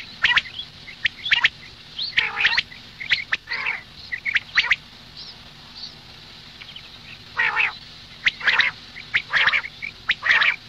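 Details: Morning calling of a female common quail: short rasping squawks, some in quick pairs, separated by irregular pauses, with scattered sharp clicks in between.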